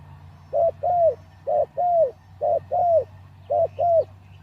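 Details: Caged spotted dove decoy, still unfit after three days out of its breeding cage, delivers four regular pairs of mellow coos, a quick note leading into a longer slurred note, over low hum.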